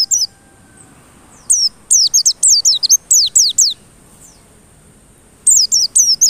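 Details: ['White-eye song used as a lure to provoke other white-eyes into singing persistently: bursts of high, thin, steeply falling slurred whistles in quick series, separated by silent gaps of about a second.']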